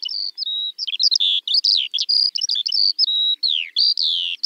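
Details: Skylark song: quick chirruping notes mixed with short whistled slides and a clear downward-sweeping note, delivered as one continuous high babble.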